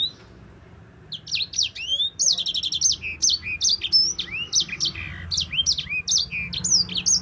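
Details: Yellow-fronted canary giving an extended rolling song as a master recording for training songbirds: after a quiet start, a fast stream of high trilled and slurred whistles, including a buzzy rapid trill, rising and falling notes.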